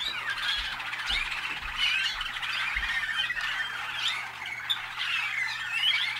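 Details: Ohio-bred Waterslager canaries from North Canton, USA, sing a thick mesh of chattering, warbled notes with a few sharper whistled accents, while soft low thumps sound in the background during the first three seconds.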